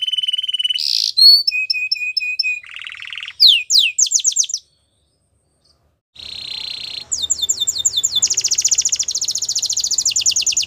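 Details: Canary singing a training song of varied phrases: steady whistle, short pips, a buzzy rattle, sweeping notes, a pause of silence, then another rattle and a fast, long high trill with faint low background noise.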